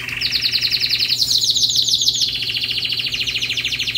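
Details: Canary song: rapid repeated trill of short notes, shifting after about a second from a lower strand to a higher, brighter series of fast sweeps, continuing evenly at a steady pulse with a faint low hum beneath.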